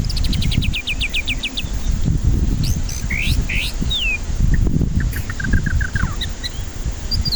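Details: White-rumped shama song as a lure for stressed birds reluctant to sing: a quick series of high repeated notes, then scattered upslurred whistles and short chips, with heavy low rumbling noise throughout.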